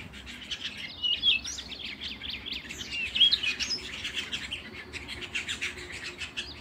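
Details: A canary sings quick, high, twittering phrases that mix sharp chirps with short whistled slides, delivered in uneven bursts over faint steady noise.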